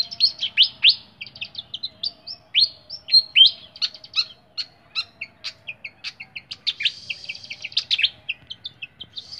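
A flycatcher sings a rapid, varied stream of high chirps, trills and short whistles, several notes each second, with a faint low hum beneath.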